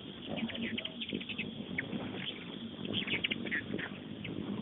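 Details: Hummingbirds crowding a busy feeder outside a kitchen window, giving sharp short chips in bursts, some doubled or tripled, with faint indoor talking and household hum behind.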